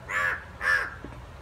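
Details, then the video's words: A pair of harsh, nasal caws about half a second apart, both loud and rasping, from two crows fighting, followed by a brief faint click. "Crow Fight"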